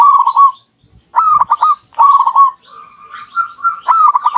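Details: Two local zebra doves singing back and forth as a lure: repeated purring coo phrases of rapid clipped notes running into a sustained tone, with a softer overlapping phrase from the second bird near the end.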